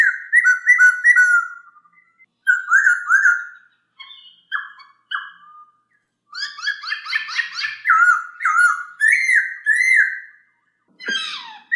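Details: Poksay hongkong, the masked laughingthrush, used for training song birds: short whistled phrases in groups, some descending, with a burst of chattering notes midway and a final scratchy sweep, with clear gaps between phrases.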